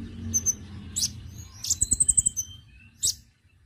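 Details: Konin lure call for attracting birds: scattered high chirps, a brief run of about seven rapid piping notes, then one more sharp squeak, with low background rumble.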